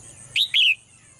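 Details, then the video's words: Two loud bright chirps from a caged female bird during her morning singing, the second drawn out and dropping slightly in pitch, over a soft steady high background hum. "เสียงนกร้องเจี๊ยก ๆ ไพเราะมาก"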